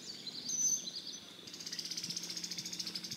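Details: Brown-headed Cowbird in a Central/Eastern US spring backyard, one vocalization rendered "bubble bubble zee": faint liquid gurgles, then a thin, very high slurred whistle, then a fast, dry, evenly pulsed trill.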